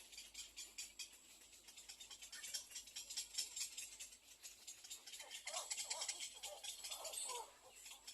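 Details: Begging little egret chick in its nest, biting the parent to get fed: a dry, rapid rattling chatter that thickens and grows louder through the second half over a steady high hiss.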